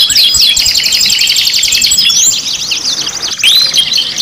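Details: Canary song used as a pancingan lure, 5-in-1 mix: rapid buzzy trills give way to looping whistled slurs, with a brief dip in loudness just past the three-second mark before the warbling resumes.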